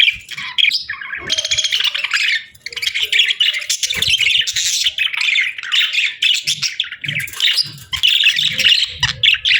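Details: Chirping budgies in unbroken scratchy warbling chatter, rasping trills and squeaky notes tumbling over one another, with faint low knocks underneath.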